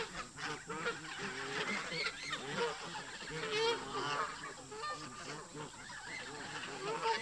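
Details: Resident park geese clash with migrating visitors in a tense flock, giving dense overlapping harsh honks that rise and fall through the clip, with a louder cluster in the middle.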